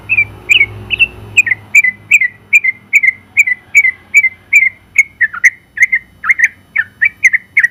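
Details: Sooty-headed bulbul, known locally as trucukan, a champion in its class, delivers a long, steady run of brisk whistled notes repeated about two to three per second, some dipping then rising, after a brief low rumble at the start.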